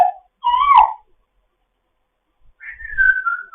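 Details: African grey parrot kept as a foster pet, morning chatter: a wavering whistled note, then after a two-second silence a longer buzzy whistle sliding gently downward.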